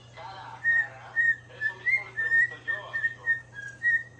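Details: A young pet white-faced cockatiel whistles the Kill Bill tune to another cockatiel in short, clear, bright notes, repeated in quick phrases.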